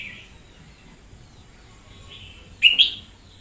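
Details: Energetic decoy red-whiskered bulbul from 2021: faint warbling at first, then a sudden loud, sharp two-part whistled phrase near the end.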